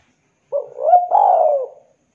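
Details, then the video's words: ['Javan spotted dove in vigorous, sweet-voiced calling, offered as a lure to get silent doves calling quickly: a soft wavering lead-in, then a rising hooked note and a long, mellow, slightly falling coo.'] "Derkuku Jawa super gacor suara MERDU ,cocok buat pancingan derkuku MACET bunyi cepat gacor"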